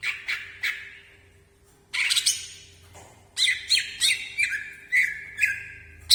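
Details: Greater green leafbird, kept bird, moving its wings: harsh squawky bursts and chattering notes, then a rapid series of sharp strident phrases ending in a level whistle, with a faint steady hum behind.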